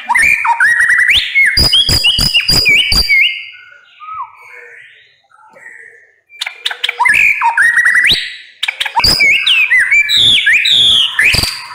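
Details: White-rumped shama (Copsychus malabaricus) song: loud, rich phrases of whistles, sharp clicks and rapid buzzy trills, with a quieter pause of soft notes midway before bursting out again.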